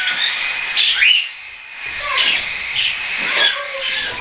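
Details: Hand-tame juvenile cockatiels, some weaned and some not yet, recorded 10 September 2012, giving short upward-sweeping chirps against a steady high-pitched chatter of several birds.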